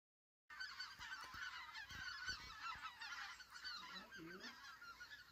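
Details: Greater white-fronted geese (specklebellies) on migration: a flock gives a dense chorus of overlapping high, yelping calls, continuous throughout, with a few lower calls near the end and some soft thuds.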